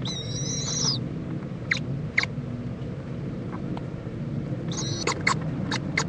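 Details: Owl mother checking on her owlet and joining it for preening at a nest in Indiantown, Florida, late morning on February 26, 2014; a high, strained, whistled screech of about one second, another shorter one later, with scattered clicks and low rumble.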